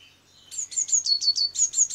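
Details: Great tit visiting a window feeder for walnuts, hazelnuts and seeds, close by. Sharp, very high notes alternate between two pitches, about eight per second, in a rapid see-sawing series.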